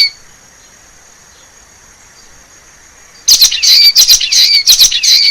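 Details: Wild common waxbill singing in forest in Brazil: after three seconds of quiet hiss, a burst of high, rapid, buzzy chirps and trills begins, repeated quickly and irregularly.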